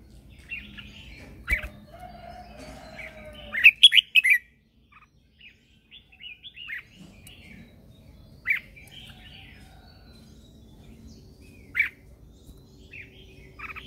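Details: Lure red-whiskered bulbul in morning song used to call others and spur singing: quick bursts of bright chirping notes, a loud fast cluster at about four seconds, then spaced single whistles.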